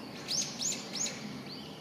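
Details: Japanese pygmy woodpecker in woodland on 8 May 2020, morning, parents urging chicks to leave the nest: three thin, high arched chirps about a third of a second apart, then a fainter fourth, over soft background.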